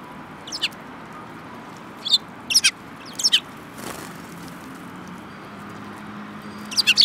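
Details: Sparrows, a group including a yellow-billed young one, recorded on 18 January 2018: short sharp chirps in quick pairs and triplets, with a few seconds of quiet between bursts and a steady low background hum.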